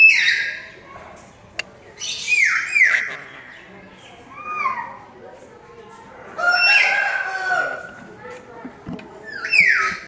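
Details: Pet sun conure feeding its baby: repeated high, down-slurred squeals and whining notes in bursts, with pauses and soft rustling between.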